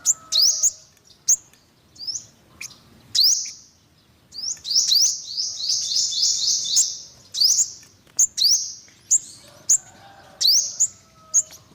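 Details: Olive-backed sunbird: spaced, sharp high chips and rising buzzy slurs, with a run of quick descending notes in the middle; quiet background.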